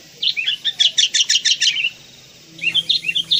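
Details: Tame sooty-headed bulbul raised from a young bird, giving a quick run of about a dozen bright chirping notes, then a pause and a second burst of similar high, sweet notes.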